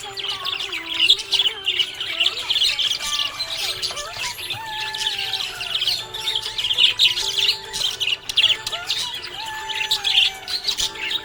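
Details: Cheerful budgie chirping at length, a continuous warbling chatter of quick squeaks and harsh squawks in bursts, set against quieter background music with held tones.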